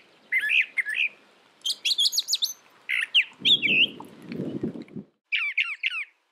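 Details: Varied song of a brown thrasher: slurred two-note phrases, a jumble of high scratchy notes, then downward-sweeping chirps repeated three times, with a brief low rustling underneath in the middle.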